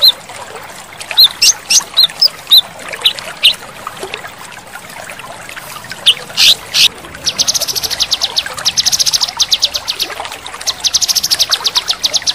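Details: Male cucak kinoi in full chattering 'tembakan' song: sharp high chips, then long rapid buzzy trills of quick repeated notes, set over a steady trickle of running water.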